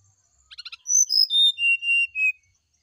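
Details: Brown-chested jungle flycatcher singing in the morning, played to prompt another bird to answer: a few soft buzzy ticks, then a run of clear whistled notes stepping down from high to lower pitch, each held briefly.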